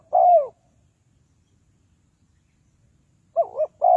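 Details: Spotted dove decoy for luring wild doves into traps. One long falling coo, then silence, then a wavering double note and the start of another coo at the end.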